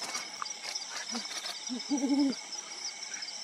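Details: Brown wood owl (Strix leptogrammica), an owl of lowland and dense forest, giving three soft, deep hoots, the last one longer and wavering, over a steady high insect hiss.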